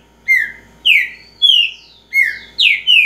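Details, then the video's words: A green-winged saltator of the repeater type repeats loud, clear whistled phrases, each a bright slurred note that dips in pitch, roughly twice a second over a quiet background. "Trinca ferro repetidor"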